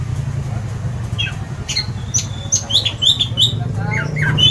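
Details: Orange-headed thrush singing loudly, meant to stimulate other songbirds: bright, clear whistled phrases that jump between high notes, loud and varied, over a steady low rumble of traffic.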